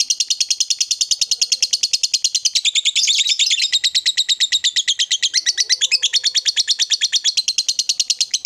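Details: Caged lovebird giving its long 'ngekek' chatter: a high, rapid stream of scratchy clicking notes, about three per second, running unbroken for over eight seconds, briefly thickening into a denser buzzy burst midway, with soft low chirps behind.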